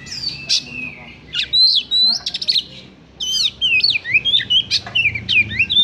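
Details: Oriental magpie-robin (Copsychus saularis), song.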